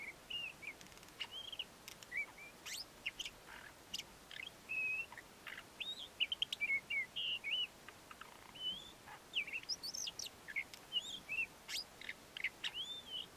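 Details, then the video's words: A male Ant-eating Chat sings his courtship song, a lively jumble of short whistled and chirping notes, many rising or looping, delivered in quick bursts with brief pauses over soft background hiss. "Ant-eating Chat song"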